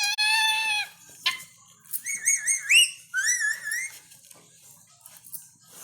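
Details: Pet talking parrot asking for food; loud, clear tonal vocalizations, first a long steady note, then wavering, warbling phrases that rise and fall like speech, ending in faint clicks and quiet.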